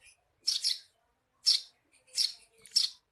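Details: Eurasian tree sparrow song, used as tutor audio for training songbirds before hanging them out; four harsh, bright chirp bursts, some doubled, spaced irregularly over three seconds on a quiet background.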